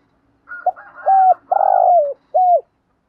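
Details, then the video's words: Coo sequence of a spotted dove, used to lure and stimulate wild doves: soft lead-in notes, then a level hoot, a long burry hoot dropping at the end, and a short final hoot. "tieng chim cu gáy gù và thúc"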